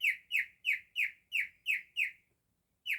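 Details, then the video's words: Male pet cockatiel singing in imitation of a canary: a run of seven bright, downward-sliding whistled notes about three per second, a short pause, then one more note. Clean, quiet background. "Cockatiel singing. He can be a canary. Super talented Cockatiel."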